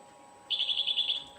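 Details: European goldfinch (Carduelis carduelis) song phrase, a local traditional singing style likened to AK-47 gunfire: a quick, rattling burst of high, tightly packed notes lasting under a second, over a faint steady hum.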